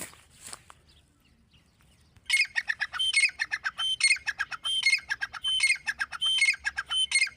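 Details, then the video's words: Grey francolin (dakhni teetar) giving a loud, harsh, high-pitched ringing call, the phrase repeated about every 0.8 seconds after a quiet start. "grey francolin dakhni teetar sound"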